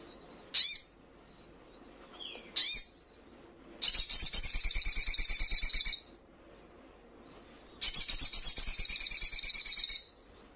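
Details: Crimson Sunbird recording used to train caged birds to reply and display. Two sharp high chips are followed by two long, dense, buzzy trills of rapid high notes, each lasting about two seconds.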